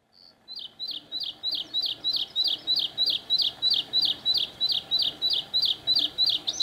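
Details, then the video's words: A Bluethroat singing in the Bargerveen, Netherlands, gives a steady run of high, sharp, metallic notes, about three a second, repeated nearly twenty times over faint background hiss. "Zingende Blauwborst"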